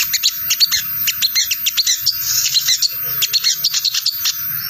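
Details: Wild-bird lure of crimson sunbird 'ngriwik' chattering: hurried, scratchy high chips and twittering runs in dense groups, briefly easing and resuming, with a soft low rumble underneath.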